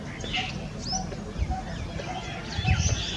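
A Coppersmith Barbet gives soft, hollow 'tuk' notes about every half second, over high twittering from other birds and a low background rumble.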